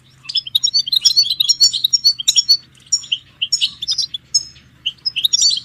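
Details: Goldfinch twittering meant to stir caged males into singing, with mating and readiness calls: a dense, fast run of bright chirps and tinkling notes, several birds overlapping, over a faint constant hum.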